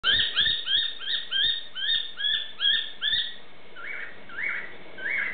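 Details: Pet cockatiel imitating a noisy miner, a currawong and a noisy parrot: a quick run of rising, slightly harsh chirps, about three a second, then three softer, slower ones, with a few low thumps underneath.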